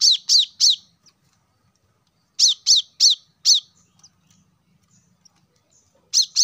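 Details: Plain-throated sunbird song, used to coax caged birds into singing: bright, piercing high chirps in bursts of three or four, each slurring downward, with silent gaps of over a second between bursts.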